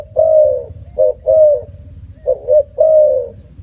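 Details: Spotted dove giving long, smooth low hoots interspersed with quick clipped coos, in slow irregular phrases, with a soft low hum behind.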